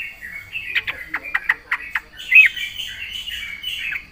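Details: Energetic trucukan, or yellow-vented bulbul, in 'gacor full isian' song: evenly spaced sharp chirps about five per second, followed by a warbling, rolling phrase.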